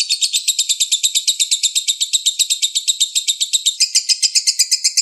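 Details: Lovebird master song for training songbirds, set over a flowing-water background: a fast, shrill chattering of high, buzzy notes, many per second, running evenly and then shifting slightly in tone near the end.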